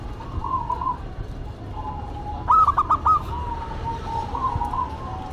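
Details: A local zebra dove and a cemani zebra dove duet, giving faint wavering coos before and after a louder central burst of rapid, evenly spaced clipped notes.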